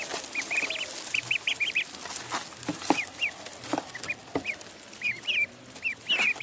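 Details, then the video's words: Faint, high peeps from a duckling in a pond, given in small clusters of two or three, set against hissing noise and occasional sharp clicks. "Duck Sound duckling in the pond -duck quack"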